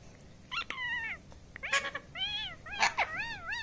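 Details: Talking parrot gives drawn-out, wavering, meow-like calls with rich harmonics, several in a row, with a couple of sharp clicks between them in a small room.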